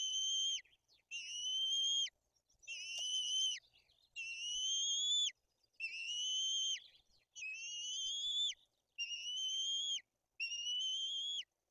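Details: Nest of white-tailed eagles in Poland's Bory Tucholskie forest while chicks are fed and the older chick turns aggressive; a run of eight thin, high whistles, each about a second long with a drooping tail, closely repeated.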